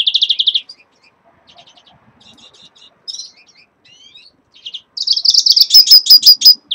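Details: Caged red-fronted serins at the start of their moult: high twittering phrases, a buzzy trill at the opening, scattered soft notes, then a loud rapid chattering run of repeated bright notes near the end.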